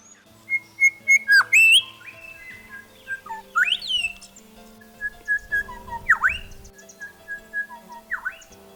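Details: Grey shrike-thrush singing in Australian woodland, captured by a microphone left in place for two hours, showing variations in call: clear ringing whistles, short repeated notes and sharp rising-falling whistled swoops, with a faint steady hum beneath.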